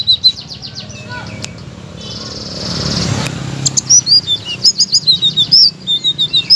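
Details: Blue-crowned laughingthrush master song for stalled birds: a brief soft whoosh, then a fast series of short, high chirps and slurred whistles, roughly one per second or quicker.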